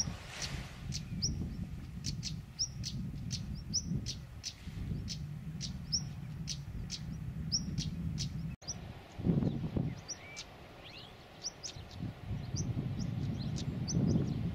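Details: European stonechats, male and female, singing on the Isles of Scilly in late April, sharp high ticking notes in quick succession with short twittering phrases, over a steady low wind rumble.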